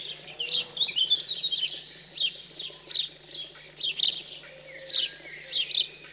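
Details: House sparrow young fed after leaving the nest, cold countryside in central France, June 2020: a dense burst of scratchy chirps, then spaced sharp notes about every second, faint background birdsong.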